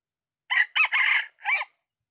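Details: Decoy Red junglefowl rooster crowing while used to trap wild junglefowl in a small oil palm plantation in Sumatra: one four-part crow, three clipped hoarse notes then a short final note, against a silent background.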